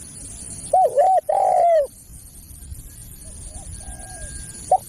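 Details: Spotted dove lure call for attracting other doves: a short burst of cooing, two quick wavering notes then one longer drawn coo, followed by quiet with a faint distant coo.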